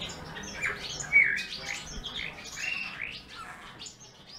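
A Eurasian bullfinch gives a soft, scratchy warble of creaky notes with a few brief piping whistles, uneven and low-key.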